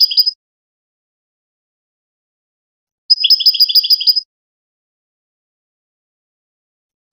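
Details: Goldfinch song for teaching hybrid chicks: a brief opening twitter, then a one-second run of rapid, evenly spaced high chirps in two pitches, and a short note at the end, otherwise silent.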